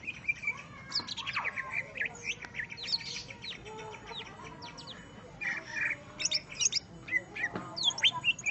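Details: Greater green leafbird confronting a rival opponent, delivering a dense, ever-changing medley of sharp chirps, rising and falling whistles and brief buzzy notes, with short pauses between bursts.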